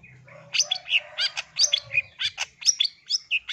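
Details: Female long-tailed shrike calling the male: harsh, scratchy chirps and squeaky notes repeated roughly once a second in an uneven rhythm, with a low rumble underneath at the start.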